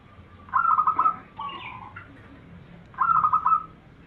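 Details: Zebra dove (perkutut) lure song, used to draw replies from other zebra doves: two bubbling trilled coo phrases about two seconds apart, separated by a softer, lower note.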